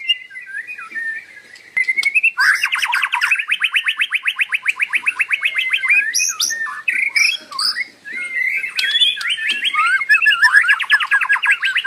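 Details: White-rumped shama in continuous song: a warbled opening followed by rapid buzzy trills, abrupt whistled phrases and chattering, then more fast repeated trills toward the end.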